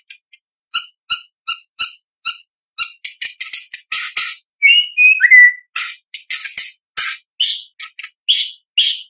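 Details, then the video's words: White-rumped shama performing competition song phrases: spaced harsh chips around two per second, a clustered scratchy rattle, slurred whistled notes in the middle, then broad raspy squawks. "Murai Batu Gacor Full Isian ~ Full Tembakan Materi Lomba"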